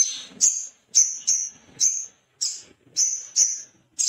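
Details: Male little spiderhunter, agitated and looking for a rival. It repeats clean, piercing, high whistled chit notes roughly every half second, each short and slightly falling, in an otherwise quiet recording.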